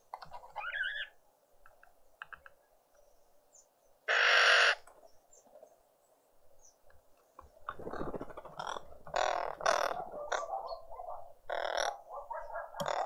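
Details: Green woodhoopoes, a family group at breakfast in a Pretoria suburban garden, South Africa, on a spring Sunday morning: a loud harsh burst, then several overlapping rasping, cackling calls in quick succession. Some chirps and rustling are also heard.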